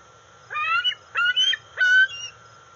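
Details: Juvenile female bald eagle, 131 days old, at a nest on August 5, 2020, arriving as her father brings a fish: three loud, harmonic, whining calls, each rising then leveling, about 0.6 s apart, over a steady background tone.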